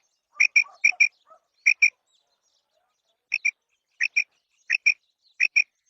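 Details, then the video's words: Female quail (batair) uttering sharp paired chirps in a fast run, then a short pause, then further evenly spaced pairs; a few softer lower notes follow the first pairs; no other sounds. "مادی بٹیر کی 7 منٹ والی آواز / Female Batair Sound"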